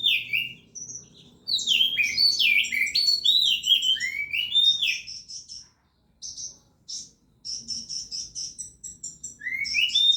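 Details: Energetic song of an Oriental magpie-robin kept for song contests: rapid tumbling sweet whistles and slurred notes, a brief pause, then a series of high buzzy chirps and trills before more falling whistled phrases.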